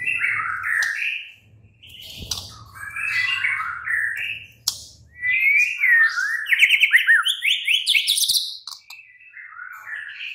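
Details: Oriental magpie-robin night song to prompt a caged bird to reply: repeated whistled phrases over a low rumbling hum, then an intense run of clear rising whistles and rapid chattering notes, fading to softer phrases.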